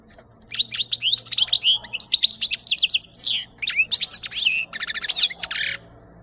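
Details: Sustained European goldfinch song, recorded as a capture lure: rapid tinkling, chattering notes mixed with sliding twitters and a dry rattling burst near the end, nearly without pause for about five seconds.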